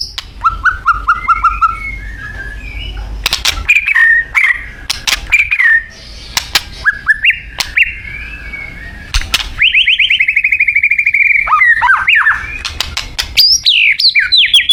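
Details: Thai white-rumped shama in varied song: short whistled trills, sweeping phrases and sharp clicks, with a long fast rattle of repeated notes midway and high looping whistles closing.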